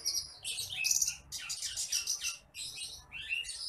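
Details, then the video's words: Bush lark known as branjangan apung, recorded as a masteran to teach other birds: dense, continuous high twittering with buzzy trills and rapid chirped notes, only brief gaps between phrases. "MASTERAN BURUNG BRANJANGAN APUNG (TITIMPLIK)"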